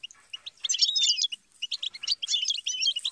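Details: Goldfinch song, quick high chirps building into dense tinkling twitter with a few drawn-out whistled notes, one brief pause midway, nothing else audible.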